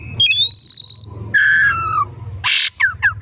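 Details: Afternoon lure song from an Oriental magpie-robin: a rising high whistle held steady, a lower falling whistle, then a harsh burst followed by quick short chirping notes.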